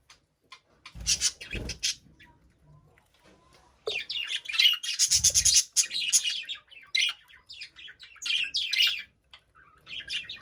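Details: A budgerigar kept in a cage chirps continuously, with dense, high, scratchy warbling and rapid squeaky notes in long bursts broken by short gaps, plus a few low thumps near the start.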